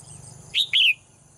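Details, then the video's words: A female cage bird gives a brief two-note chirp, the second note louder and longer, over a quiet steady high hum. "เสียงนกร้องเจี๊ยก ๆ ไพเราะมาก"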